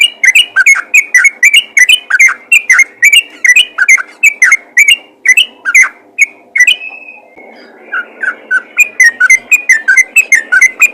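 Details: Yellow-vented bulbul in full voice calling to fellow bulbuls, pouring out a fast sequence of clear, bouncing whistles, a brief lull with faint background rustle, then more rapid whistling.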